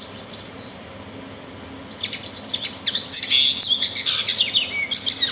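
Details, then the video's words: Small birds chirping in nature, high thin twitters and short trills that start, pause for about a second, then resume in a denser burst of overlapping chirps. "صوت العصافير في الطبيعة"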